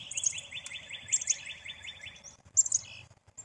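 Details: Black-capped chickadee call: high, thin introductory notes followed by a rapid run of rough, buzzy dee notes lasting about two seconds, then more short high notes and a brief buzzy burst, over a quiet background.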